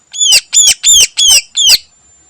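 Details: Five loud raspy downslurred notes in steady succession from a greater green leafbird singing mimicked phrases in the morning, each note hoarse and rich, ending cleanly.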